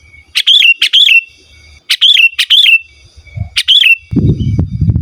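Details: Sooty-headed bulbul singing vigorously, a genuine recording without mimicked inserts, calling a rival and used to lure wild birds or tutor caged ones. Loud, bright chirped notes in pairs and singles, dropping in pitch, with a rustling thump near the end.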